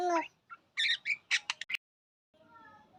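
A common myna gives a quick run of harsh, scratchy chattering notes, about six in a second, followed by a pause and a fainter tonal sound.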